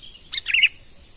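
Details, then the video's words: A single quick, bright phrase of sharp chirps sliding into a bubbly flourish from a young wild-caught sooty-headed bulbul being trained to lure, with faint insect hum behind. "Burung Kutilang MUDA HUTAN Mulai Dilatih Untuk Jadi Pikat Handal"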